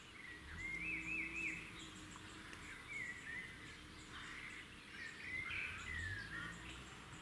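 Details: Red-backed shrike at its nest in the wild beside a road; short warbled and zigzag chirping phrases at mid-high pitch come in bursts over a steady rushing background noise, with faint high ticking from other birds.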